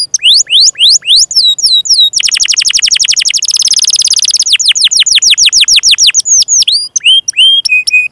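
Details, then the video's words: Canary song, a long training song for young or silent canaries: repeated descending whistled sweeps, then a rapid buzzy trill of fast notes around two to eight seconds, ending in falling slurred whistles and short steady tones. "Kenari GACOR PANJANG INI Cocok untuk Masteran KENARI PAUD dan Kenari Macet BUNYI"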